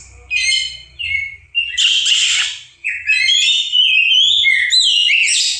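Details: Oriental magpie-robin, known locally as kacer, singing a busy run of high, varied chirps and whistles, with bursts of scratchy notes between clearer phrases.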